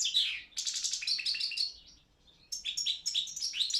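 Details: Balkan goldfinch, Carduelis carduelis balcanica, performing for a Serbian song championship: bright, rapid twittering phrases with trills, a short near-silent gap, then more lively, jingling notes.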